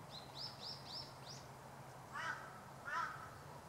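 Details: Meadow bunting in winter, recorded on 25 December 2012 in the suburbs of Hachioji, Japan: a quick run of four or five thin, high, upslurred notes, followed by two louder, lower, harsher calls from another bird, over a steady low hum.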